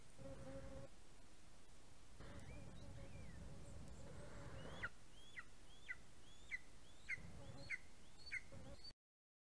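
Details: Greater spotted eagle chick fledging from its nest on 11 August 2020, flying off but staying close, captured by a live nest camera; a run of sharp, hooked yelps repeats about twice a second in the second half over low rumbling background noise.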